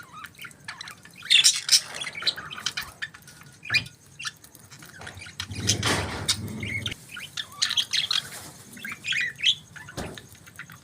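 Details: Budgerigars in the morning, scattered bright chirps and warbles in clusters, broken by a low rumbling noise partway through.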